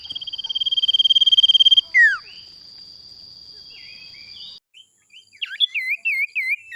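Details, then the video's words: Male sirtu lure sound from Indonesia. A swelling pulsed trill ends in a steep falling note, followed by a steady high hum. Then comes a burst of varied short whistled chirps and twittering notes. "SUARA PANCINGAN SIRTU JANTAN"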